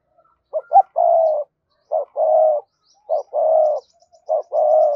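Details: Spotted dove in gù gáy gọi hai hậu cooing, aimed at getting a fresh-caught bird to answer quickly; four even phrases, each a short hoarse note then a long level low coo, about one per second.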